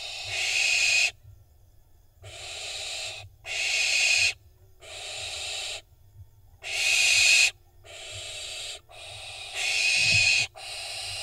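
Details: Israel nest box, 25 June 2021: barn owl fledglings jockeying before a prey drop produce a series of loud hissing rasps, each about a second long, alternating with short quiet gaps over eleven seconds.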